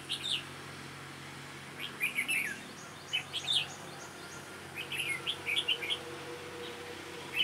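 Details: A red-whiskered bulbul sings, recorded during bird trapping and noted for its sharp voice. Short, lively chirped phrases come in bursts roughly every one to two seconds over a steady low background hum.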